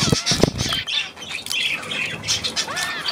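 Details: Budgerigars on 9 February 2024: a few low thumps open the passage, followed by raspy chirping chatter and a small rising and falling whistle near the end.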